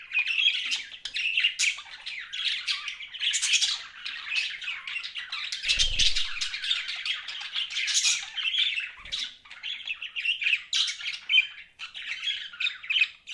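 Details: Pet budgerigars chirping continuously in a dense, chattering stream of rapid warbles and squawky notes, with one brief low thump near the middle.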